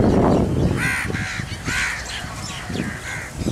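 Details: Rosy starlings in a migrating murmuration over Hamirsar lake, Bhuj, Kachchh, 18 March 2018, recorded from beneath the wheeling flock; harsh grating chatter notes in short bursts, with low rumbling wind or handling noise underneath.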